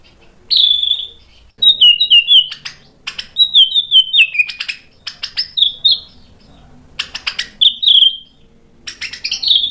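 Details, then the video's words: White-rumped shama singing actively with sharp fill-in phrases, meant as a lure for other birds to reply: high clear whistles with stuttering downward trills, given in separate bursts between brief silences. "MURAI BATU GACOR bongkar isian tajam cocok untuk PANCINGAN biar ikut NYAUT BUNYI"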